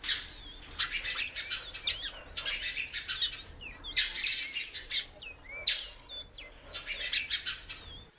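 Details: Female great-billed seed-finch calling a lot, giving short slurred whistles that bend upward and downward, scattered through the clip, over bursts of dense sharp ticking chirps.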